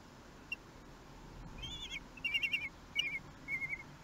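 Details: Common kestrel at the nest in Théding, France, 11 June 2021, during a prey delivery by the male: after a quiet start, short wavering whining trills come in bursts, rising and falling in pitch.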